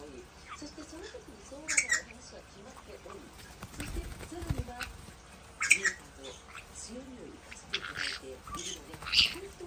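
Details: Two pet white-bellied caiques play-wrestling give harsh, grating squawks in three short bursts a few seconds apart, with soft human voices talking underneath.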